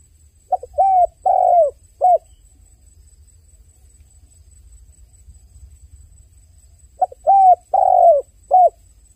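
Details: Two identical cooing phrases from a crying dove about six seconds apart, each a burst of four or five hollow notes, the third longest and sagging in pitch, separated by near silence.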